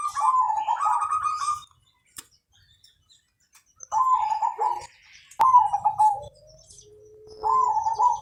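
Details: Zebra dove (perkutut) with Mojopahit colouring, a long-singing lure bird: a rich run of rapid rippling notes, silence, then two more stuttering phrases and a quiet level tone.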